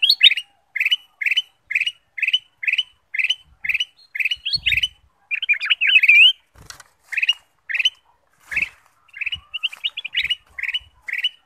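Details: Lure song of a Ruby-throated bulbul for making other birds sing: crisp chirped notes repeated evenly, broken near the middle by a fast tumbling warble, then the steady chirping resumes.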